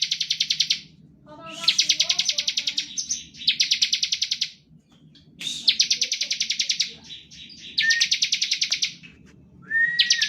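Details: Bar-winged prinia singing ngebren, a lure to set other prinias singing: a series of one-second rattling trills of quick, dry ticks, some opening with a short whistled slur, and faint lower notes between bursts.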